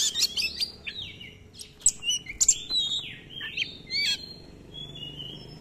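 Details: Oriental magpie-robin in full song with long rolling runs and many filler phrases: a rich, varied run of clear whistles, slurred rising and falling notes and sharp chips, in quick bursts with brief pauses.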